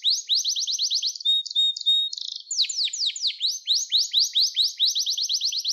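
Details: Canary singing to train young birds: bright repeated downward sweeps, a short flat whistled passage, then more rapid sweeping notes continuing in rhythmic series.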